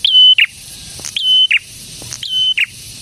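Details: Loud singing prinia, prenjak tamu, delivers three quick phrases, each a bright flat whistle closed by a short buzzy note, repeated roughly every second.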